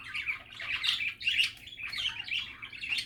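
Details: Budgerigar chattering contentedly: nonstop rapid warbling, squeaks and gritty trills running together with almost no pauses.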